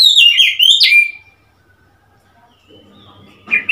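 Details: Oriental magpie-robin on 3 March 2021, a loud one-second burst of tumbling whistled notes ending in a sharp rise and falling whistle, followed by quiet, faint background rustle and one short note at the end.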